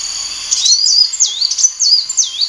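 A sunbird sings a rapid series of very high, thin notes that swoop down and back up, one about every half second, with a faint background hiss.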